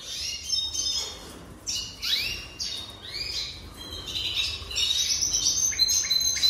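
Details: Jasper canary singing: rapid high warbled phrases, sweeping upward slurs and bright trills high in pitch, varied and continuous with short pauses between bursts; faint low background hum.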